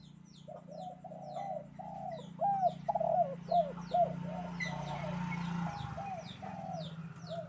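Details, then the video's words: Spotted dove on a bright morning: a run of low coos, some arched and sharper in the middle, over a steady low hum, with faint chirps from other birds above. "Di pagi hari nan cerah ☀burung derkuku kuk 2 gacor"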